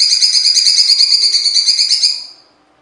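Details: Cucak cungkok singing its coarse, harsh song material: a long, even, rasping buzz with fast rhythmic pulses, sustained for over two seconds before fading away.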